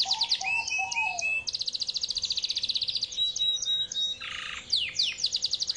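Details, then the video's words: Yorkshire canary singing a long song while seeking a rival: high rapid trills with a lower warbled phrase, a long fast even rattle, thin whistles and a harsh buzzy burst, then quick repeated notes. "KENARI YORKSHIRE GACOR PANJANG GAYA NGAWET MENCARI LAWAN"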